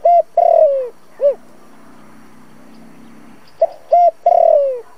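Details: Decoy spotted dove of thổ-style voice, recorded for a trapping loudspeaker to excite wild doves: a short coo and long falling note, one arched hoot, a quiet pause, then short coos and another long downward-sliding note.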